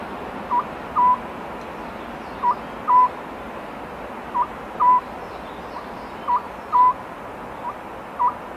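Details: Oriental scops owl calling at night in spring, giving a mellow two-note hoot, a short note then a longer one, repeated about every two seconds over a steady soft hiss.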